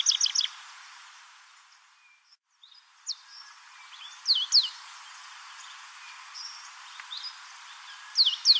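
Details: African pied wagtail (Motacilla aguimp) at Port Alfred, Eastern Cape, South Africa, calling: sharp, high chirps in short bursts, with clusters of notes near the start, middle and end; quiet background hiss.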